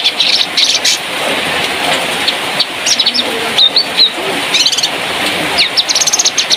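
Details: Spotted 'trotol' sooty-headed bulbul from Malalak, West Sumatra, recorded as training song material; bursts of quick high chirps alternate with a few clear whistled notes, repeated in short bouts against background noise.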